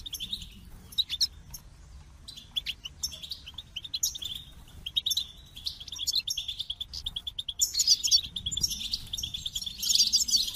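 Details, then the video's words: Goldfinch singing, starting with sparse, separate high chirps and short twitters, then building after about seven seconds into a rich, rapid, liquid warble of jangling notes. "The Captivating Call of Goldfinches"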